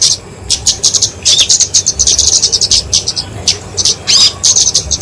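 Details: Flowerpecker of genus Dicaeum, known locally as kemade, singing a fighting song for training and luring birds; high, sharp ticking notes run together into sizzling bursts, with a faint quick upslurred whistle.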